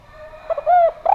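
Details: Javan spotted dove cooing, a brief fragment of soft short notes rising into a longer sustained coo, then the start of another.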